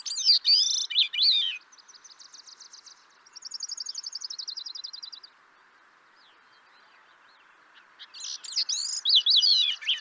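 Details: Grey-cheeked thrush singing: high, tangled phrases of quick slurred, spiralling notes open and close the passage, with dry, rapid buzzy trills in between.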